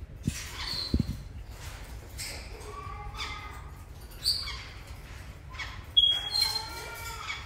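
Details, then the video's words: A female Moluccan eclectus indoors gives harsh, raspy squawks mixed with short whistled notes, with a loud screech near the end, over low room noise. "Moluccan eclectus in mood"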